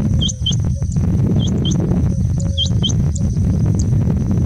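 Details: Mating call of a rain quail in Hubli, India: clipped, high, metallic double notes in closely spaced pairs, repeated several times over steady low background rumble, with a faint short whistle from another bird.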